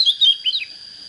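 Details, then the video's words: Oriental magpie-robin, a young untrained bird just coming into fighting form, gives a brief burst of clear whistled and slurred notes, some dropping in pitch, over a steady high electronic-sounding tone. "Chích chòe than mộc CHỚM LỬA || có chất GIỌNG CHUẨN"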